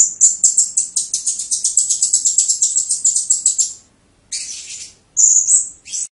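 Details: Blue-crowned hanging parrot in 'tembakan' burst: a four-second stream of quick, shrill repeated chips, then a pause, a harsh raspy note and a high rising whistle.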